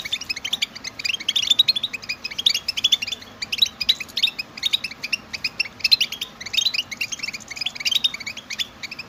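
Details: European goldfinch group stimulation chirping meant to prompt male goldfinches to sing nonstop; clusters of quick tinkling twitters and buzzy notes come in bursts about every second, steady low hiss underneath.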